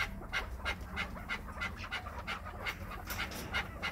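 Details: Chukar partridge kept by an owner in Krasnoyarsk, prompted to call: a series of short, harsh, chopped notes repeated about three times a second, steady throughout, over low background hum.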